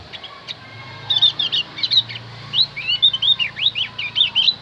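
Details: Lure song of a Javan white-eye for calling wild birds, beginning with faint scattered notes and building into a continuous stream of high, squeaky, slurred chirps.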